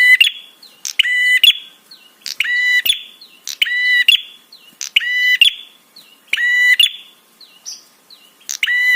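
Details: Rapid series of grating, overtone-rich buzzes from a prinia, repeating about every second, with small hooked chirps between. This 'trapi' call is used to provoke other birds into answering and excite them.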